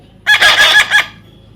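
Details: One loud, rasping squawk from a baby parrot, roughly four quick pulses merged into a buzzy burst under a second long.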